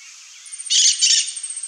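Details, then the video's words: Glittering-bellied emerald (Chlorostilbon lucidus) singing: after a faint high hiss, two dense, buzzy, very high-pitched bursts, each lasting about a third of a second, with fainter scratchy notes trailing off. "GLITTERING-BELLIED EMERALD singing"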